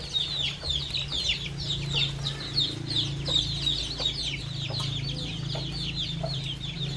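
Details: Baby chicks and young chickens on a farm pecking at fresh termites; dense, continuous high peeping chirps, short and often downslurred, overlap throughout, with scattered pecking taps and a steady low hum beneath.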